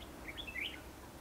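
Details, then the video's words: Red-whiskered bulbul, a decoy bird singing to lure wild birds into a trap in Hòa Bình, Vietnam, on 28 March 2016; one brief, bright whistled phrase of rising and dipping notes against faint low noise. "Bẫy chào mào hòa bình bổi 1 ngày 28/3/2016"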